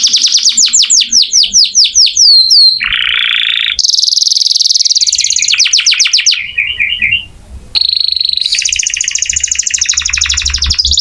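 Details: Canary in vigorous song as master audio for oriental magpie-robins: rapid descending sweeps, buzzy rattles, a high trill, a short bubbling series, a quiet pause, then a long buzzy high trill.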